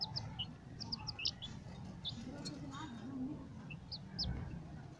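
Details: White Leghorn chicks playing, giving short, high, thin peeps scattered through the moment, some in quick pairs, over a steady low rumble and murmur of background noise.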